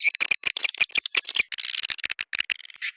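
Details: Swiftlet chirps, "Goa China" style: fast clipped squeaks and buzzy notes in quick bursts, a stuttering run of short calls with tiny gaps between them.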